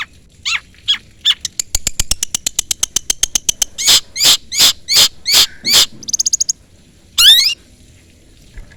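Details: Long-tailed shrike calling a rival: a few descending harsh notes, then a fast accelerating series of clicks and rasps, a brief high buzzy trill and a final loud sweeping harsh note.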